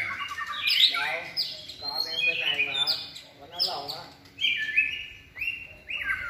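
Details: Competition song of a caged white-rumped shama: bursts of loud, ringing whistled notes and rapid scratchy trills arrive in separate phrases roughly every one to one and a half seconds, with brief quieter gaps.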